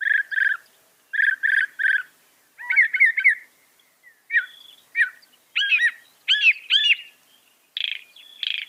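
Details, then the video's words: Northern mockingbird copying other birds: paired buzzy notes repeated, then varied whistled and squeaky phrases of changing pitch, each type given two or three times. "Masteran suara burung NORTHERN MOCKINGBIRE bisa merekam 200 suara"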